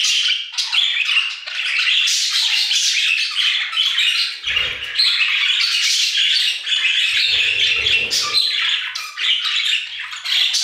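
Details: Flock of budgies singing in an aviary, a constant lively chatter of scratchy chirps, whistles and squawks, with soft low bumps around four and a half and eight seconds.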